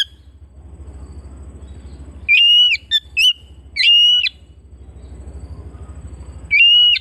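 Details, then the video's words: Home-kept Oriental magpie-robin producing a burst of four ringing whistled notes with crisp attacks. A quieter gap with soft background rumble follows, then one more long level whistle. "Terapi Burung Kacer Rumahan"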